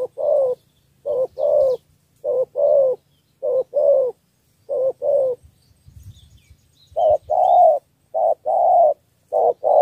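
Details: Cà Mau spotted dove, Vietnam, in a three-note luring coo meant to win over wild field doves. Deep paired coos repeat roughly once a second, with a brief pause midway and faint rustling.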